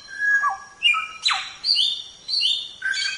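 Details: Samyong singing, recorded as training material for caged songbirds. A varied phrase: a low wavering whistle, a short rising note, a harsh downward sweep, then clear high whistled notes in quick succession.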